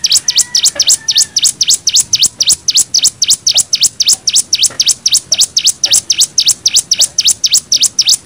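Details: Cigun in nembak style, a tutor song for young birds: loud, rapid, continuous volley of sharp V-shaped chirps that sweep down and back up, nearly four per second, with faint background clicks.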